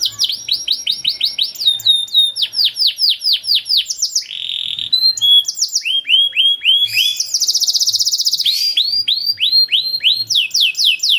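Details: Canary (kenari) song used as a training model to prompt young canaries to sing: rapid series of descending whistled sweeps, phrases of repeated notes switching pitch, including a fast high trill near the end.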